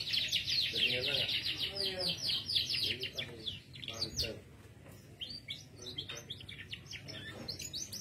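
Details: Male canary in full song: a dense, fast chattering run of high notes, then scattered twittering phrases, with low murmuring voices and background noise throughout.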